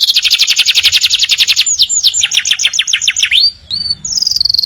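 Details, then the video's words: Canaries in morning song: a dense rapid trill leads into falling whistled sweeps, then level piping tones. "Kenari Gacor Panjang | Canaries Singing beautifully in the Morning"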